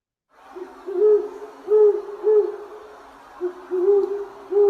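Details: Great horned owl (Bubo virginianus) gives deep, soft hoots, about six low notes with uneven pauses, each slightly rising then falling; perhaps two vocalizations showing individual voice differences.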